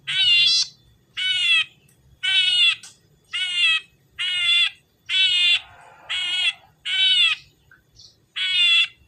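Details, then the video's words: Red-headed tit, also called salome, singing as a lure to prompt other birds of its kind to answer: harsh, buzzy, rasping notes with a rich stack of overtones, repeated in regular bursts about once a second, nine in all. "burung cici merah gacor#burung cici kepala merah gacor#buat pancingan burung cici merah pasti nyaut"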